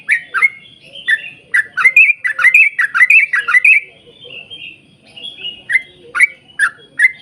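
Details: Yellow-vented bulbul in full, lively song used as a lure to set other bulbuls singing: a fast tumbling run of gurgling whistles, then a pause of softer notes before more bubbly phrases resume.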